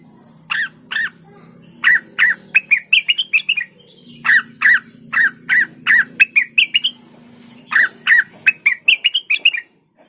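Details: Olive-winged bulbul, used as a lure for other birds of its kind: phrases of spaced, clear slurred notes that end in quicker rising twitters, repeated three times.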